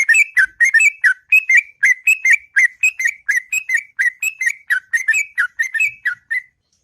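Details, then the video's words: Long ngropel song of a sooty-headed bulbul in the morning, a fluent chain of bubbly, warbling whistles repeated rapidly and evenly for nearly seven seconds. "Burung Trucuk Ngropel Panjang & Merdu Di Waktu Pagi"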